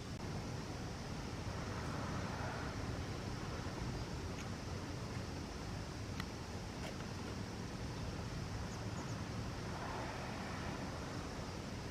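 A steady low rumble of wind and passing traffic fills the recording, with only a few faint clicks and no animal voice.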